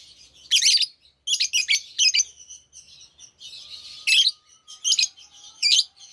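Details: An active group of many lovebirds in good spirits; loud, shrill chattering bursts recur irregularly, roughly eighty a minute, over a steady background of softer twittering from the flock.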